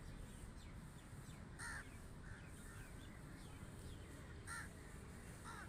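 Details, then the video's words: Crow calling with scattered, rasping caws: a clear one early, a softer one after it, another loud caw later and a final one at the end, spaced by quiet stretches of low background hum and faint distant sounds. "Crow Calling | Crow Cawing Sound Effect"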